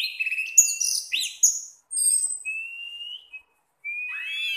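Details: Kept orange-headed thrush singing its relaxed 'teler' song: a fast cluster of high twittering notes, then a few long, thin whistles with silent gaps between them.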